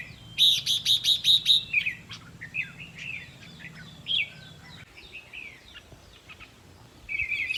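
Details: Red-whiskered bulbul used for decoy trapping, played to excite caged birds: a fast run of six sharp chips, then scattered bubbly warbled notes and a closing warble.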